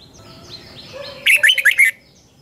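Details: Red-whiskered bulbul singing a morning training phrase, one clear run of five rapid rolling whistled notes, preceded by faint soft chirps in the background.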